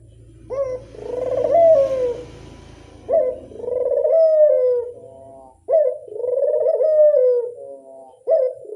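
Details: Repeated coos of a Barbary dove serving as a lure call. Four wavering phrases, each sharply rising at the onset and then drifting lower. A low hum is heard at the start.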